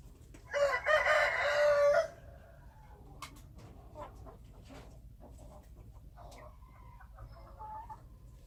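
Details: Wild chicken giving one loud raspy crow of about a second and a half, followed by faint scattered clucks and other bird notes over a low rumble.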